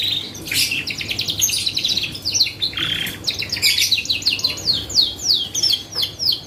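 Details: Canary singing as a lure to get other birds to respond: long rapid trills of pulsed notes, then a run of quick descending sweeps repeated several times a second, steady low hum.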